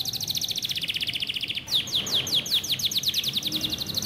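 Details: Pet budgerigars being tamed chirp in rapid, high trills of repeated notes, shifting to sharp descending chips.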